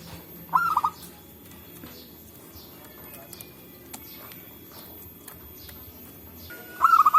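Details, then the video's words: Local zebra dove calling back and forth in forest, used as a trapping lure: two short stuttering cooing phrases of about four rolling notes, one near the start and one at the end, with faint insect-like buzz between. "Suara Burung Perkutut Lokal Gacor"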